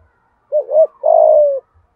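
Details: Decoy spotted dove calling to lure wild birds: a double wavering coo followed by a long, rapidly pulsed coo that sinks gently in pitch, close and clear.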